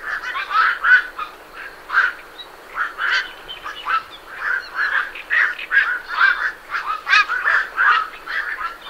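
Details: Many night herons leaving a roost together, recorded at medium close distance: a dense, overlapping stream of harsh, gruff croaks with almost no gaps between calls.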